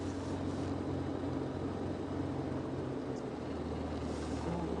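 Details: Steady low rumble of a running vehicle engine at sunrise on a safari drive, with no animal calls standing out.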